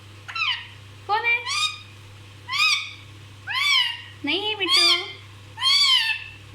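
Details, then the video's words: Nonstop-talking pet parrot delivering a lively series of about eight loud, varied harmonic syllables, rising and falling, nearly one per second, like rapid chatter, over a low steady hum. "ये तोता सब कुछ बोलता है! Non stop bolne wala tota!!"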